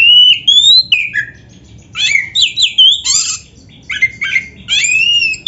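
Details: Oriental magpie-robin giving loud, varied 'gacor' song used to stimulate rival birds: clear rising whistles followed by bursts of shrill chattering and slurred notes, separated by brief quiet gaps.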